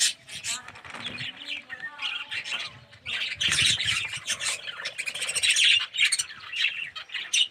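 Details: Colony of budgerigars housed in an aviary, with red-eyed yellow birds; dense overlapping chirps and squawks that grow steadily louder and busier across the clip.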